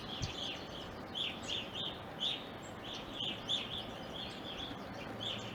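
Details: Evening grosbeaks in an Ohio backyard during winter and spring: bright, slurred chirps repeated at irregular intervals, often in quick pairs, with low background noise.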